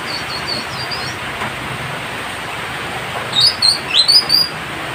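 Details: Citrine canary-flycatcher from West Sulawesi singing thin, high whistled notes. A faint short phrase comes first, then a brighter burst of quick rising and falling whistles near the end, over a steady hiss of background noise.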